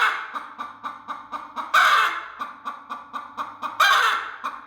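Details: An angry broody hen defending her eggs gives rapid rhythmic clucks, with two loud raspy screeches standing out over the pulsing series.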